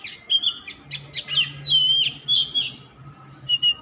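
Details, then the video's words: Oriental magpie-robin pouring out a song of clear, high whistles and short chirping notes, some long slurred phrases, against a soft low hum. "Suara kacer_kicau mania yang sllu bunyi gak mau berhenti."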